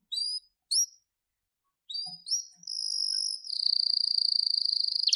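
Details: Canary singing: a few short high chirps and brief pauses lead into a long, steady high trill that runs unbroken for the final seconds, with a fast pulsing roll near the end.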